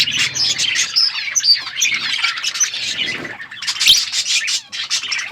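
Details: Budgies chattering in the morning, a thick stream of squeaky chirps, short whistled notes and harsh squawks, several birds overlapping throughout.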